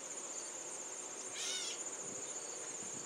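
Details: A backyard Gray Catbird mews at the camera operator, recorded on a Canon VIXIA camcorder: one brief harmonic, slurred mew near the middle, while a steady shrill insect drone runs underneath.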